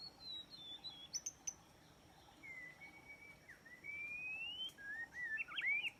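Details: Trapping lure of white-rumped shama song: a falling whistle and clicks, then a long level whistle rising into a slurred upswept phrase, ending in quick twisting high notes, all fairly soft against faint hiss.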